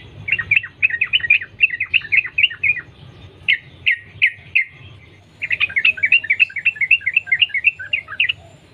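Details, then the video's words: Wild sooty-headed bulbul (trucukan) singing a lure song meant to make other bulbuls sing, in the long continuous ropel style: rapid bubbly chattering notes in two dense bursts separated by scattered single notes, over a low steady hum. "Trucukan gacor Sambung ropel nguplik alam liar | pancingan trucukan agar bunyi gacor"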